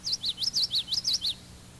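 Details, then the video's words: Classic common yellowthroat song, often written witchity, witchity, witchity: high, bright rolling phrases of linked notes repeated rapidly, about seven notes in a little over one second, over faint low tape hum. "The classic yellowthroat song is often represented as witchity, witchity, witchity."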